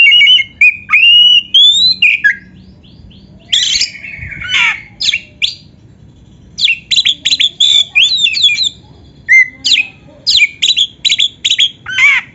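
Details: Oriental magpie-robin singing, recorded as tutor audio for young or reluctant caged birds. Opens with varied whistled phrases, then grating harsh notes, then rapid repeated chips mixed with whistles.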